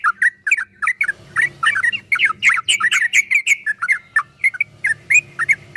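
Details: Rapid, continuous ropel-style chatter from a yellow-vented bulbul, part of a recording made to get caged bulbuls singing. Dense bubbly, slurred chirps run almost without a break, over a faint low hum.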